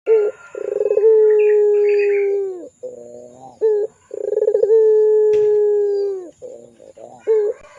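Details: Pelung-type Barbary dove singing as a lure recording for young doves: two long sustained low coos, each opening with rapid pulses, separated by softer quivering notes and a brief sharp note, with faint twittering above.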